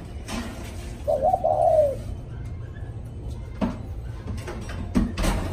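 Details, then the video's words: Single low, rounded coo phrase from a spotted dove after a storm in the thúc style, followed by a few sharp knocks over a humming background. "Cu thúc sau trận bão"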